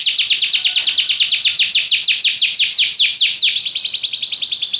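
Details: Belgian canary song: a fast run of downward-sweeping whistled notes, about eight per second, slowing briefly near the middle before breaking into a quicker, tighter trill at the end.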